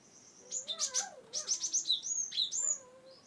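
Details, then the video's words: Cinereous tit singing, from Wonosobo, used to get reluctant birds singing. Quick high chirps and trilled notes come in an uneven series, with a fainter lower warbling sound in the background. "GelatikBatu(Cimberet/Glatikwingko) Pas untuk Burung yang tidak mau bunyi"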